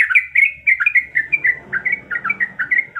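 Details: Yellow-vented bulbul female, in breeding condition, calling to a male: rapid chattering run of brief, liquid, slurred notes, evenly spaced and steady in loudness, with a faint low hum underneath.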